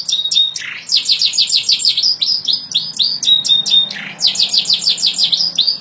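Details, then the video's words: Canary song in fast repeated trill phrases, each burst of quick descending notes high in pitch, broken by a brief low swoop, then another rolling trill; loud and steady. "اجمل تغريد للكناري"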